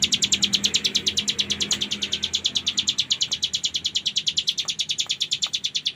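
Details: Bar-winged Prinia (cigun) in full ngebren style, a long run of rapid, high, evenly pulsed buzzy notes, about eight per second, continuing steadily for six seconds, with faint clicks and a low hum beneath.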